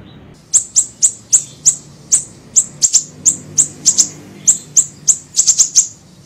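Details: Small siri-siri bird on a lure recording for catching birds: a steady run of piercing, very high chips, about three per second, sometimes doubled.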